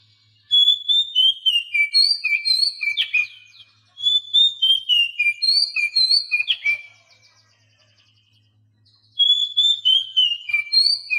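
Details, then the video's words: Oriental magpie-robin training song for captive birds reluctant to sing; two long runs of descending whistled phrases with sharp notes, a two-second silence, then the whistling resumes. "Masteran Kacer Bisu"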